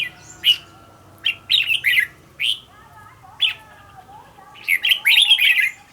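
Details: A caged decoy red-whiskered bulbul being trained for quick, spirited song gives separate bright chirped notes and short slurred phrases, spaced by pauses, ending in a denser warbled run near the close.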